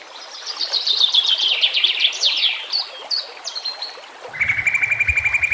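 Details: White-rumped shama singing on a master training recording: dense high chattering and whistled notes, then a steady rapid trill repeated about four times a second, with a stream murmuring behind.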